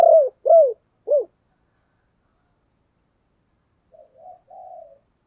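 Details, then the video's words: A decoy dove giving its calling coo, three quick low hooting coos, each arched and falling, followed by a softer, fainter murmured coo after a pause. "Chim Cu Mồi Gáy Gọi"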